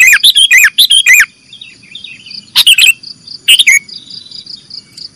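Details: Sooty-headed bulbul singing in the nggaruda style, recorded as training material for cage birds: loud warbled two- and three-note phrases, rising and falling, in two bursts, then short chattering notes over a steady high hum.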